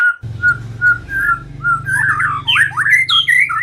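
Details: White-rumped shama used as a trapping lure: soft evenly spaced whistled notes building into louder twisting, upslurred phrases over a steady low hum.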